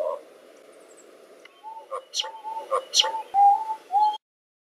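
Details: Lyrebird mimicking chainsaws, cars and people: a run of short tonal whistled notes with sharp clicks between them, repeated about twice a second, ending abruptly.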